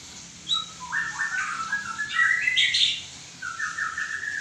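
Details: White-rumped shama singing: clear whistled phrases near two kilometres of pitch, broken into sliding, rising and falling notes with a brief rich burst of higher twittering in the middle, ending in a long steady whistle.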